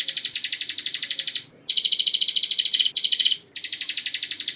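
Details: Bar-winged prinia with a gacor, continuous ngebren song meant for tutoring magpie robins: high, rattling trills in several long runs separated by short breaks, the last run starting with a thin rising note.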